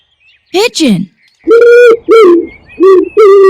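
A pigeon gives four low, steady cooing notes about half a second each, preceded by a brief spoken word.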